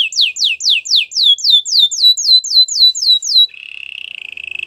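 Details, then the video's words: Canary singing a fast regular tour of sharply descending whistled notes, then changing to a low steady buzzy rattle. "All the canaries will sing a long | Canary singing birds sounds at its best"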